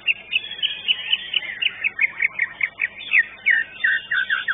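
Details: White-rumped shama singing at a bird-singing competition arena: a fast, continuous stream of sharp, high chirps and twisting whistled notes, several per second, over a busy background.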